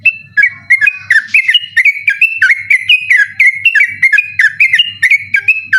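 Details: Trucukan, the yellow-vented bulbul, giving a persistent night-time 'ropel' song used for tutoring contest birds; a fast unbroken run of bright, bubbly whistled notes, each rising then dropping, several per second, with a low electrical hum beneath.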